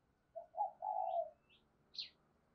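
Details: Decoy spotted dove with a thổ-style voice, kept to provoke wild doves into cooing. One quiet phrase of a short note, a coo and a longer falling coo. Higher chirps from small birds follow over faint background hiss.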